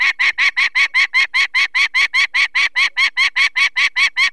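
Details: Nesting female peregrine falcon in the Barycz Valley, Poland, 2 May 2023, calling in alarm at people taking one of her four chicks: a fast, even chatter of about twenty harsh kek notes, roughly two and a half each second.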